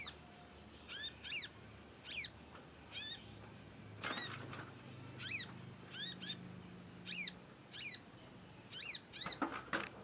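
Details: Conin chick learning its sounds and calling persistently, used as a master recording for training. Clear, arched, high chirps follow one another about twice a second, with a low hum and a brief scratchy noise in the background.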